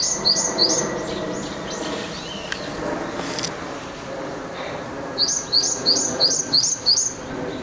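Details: Two Japanese tits at a bridge by an ecological garden, April 18, giving loud alarm calls: a short run of shrill, high chirps at the start, a pause with soft background noise, then six more rapid, evenly spaced chirps.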